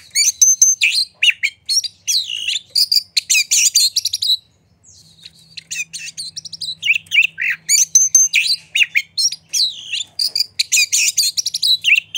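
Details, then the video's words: Oriental magpie-robin in vigorous song with tail spread, meant to provoke other magpie-robins: dense bursts of piercing whistles, rattling chips and varied slurred phrases, a half-second silence midway, then the torrent resumes over a faint low hum. "Pancingan Suara Kacer Gacor Buka Ekor! Buat Kacer Lain Pasti Ikut Emosi Gacor Ngobra"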